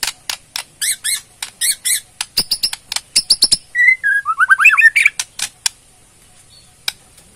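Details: Borneo white-rumped shama singing its ketrekan, a rattling song used to provoke a response: bursts of sharp clicking and harsh rattled notes, then a falling run of whistled syllables, followed by scattered clicks.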